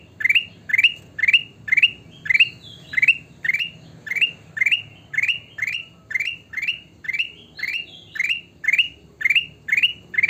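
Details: Sooty-headed bulbul in persistent vocal display, repeating one quick chirpy upward phrase roughly twice per second for the whole stretch, very regular, with a few fainter notes between and low hum behind.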